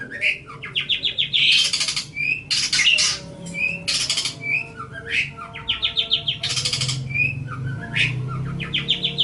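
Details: Long-tailed shrike, a caged bird kept for songbird training, delivering a varied song of rapid rising chirp series, harsh buzzy bursts and short whistles, with a faint low hum behind.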